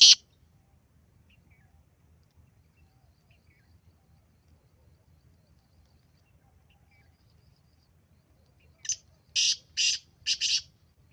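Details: Black francolin giving a burst of five grating, high-pitched notes near the end after a long near-silent stretch, with one loud click at the very start.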